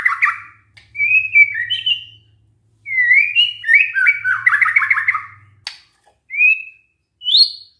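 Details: White-rumped shama singing as a lure for other shamas to answer: varied whistled phrases broken by pauses, a fast rattling trill of slurred notes mid-way, then short upward whistles; faint low hum in the background.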